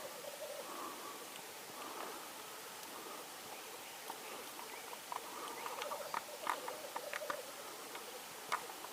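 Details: Black grouse male in Norway, 8 May 2019, giving a steady low bubbling murmur with intermittent hoarse bursts, while scattered sharp clicks and ticks grow busier in the second half.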